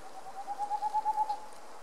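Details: Boreal owl calling in Puszcza Sandomierska: a rapid, even run of about eight soft low hoots over roughly one second, steady in pitch and rising slightly in strength, against a quiet forest background.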